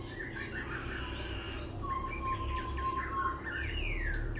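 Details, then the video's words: A captive laughingthrush sings and dances at once, giving a varied run of clear whistles and slurred, rising and falling phrases and changing its notes continually over a low background hum. "Khướu vừa hót vừa múa , Đảo giọng liên tục"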